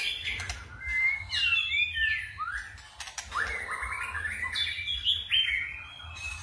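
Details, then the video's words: White-rumped shama in forest-style song with varied voice switching: clear swooping whistles and quick slurred notes in short phrases, with a low background hum. "chòe lửa hót giọng rừng ,đảo giọng cực phê"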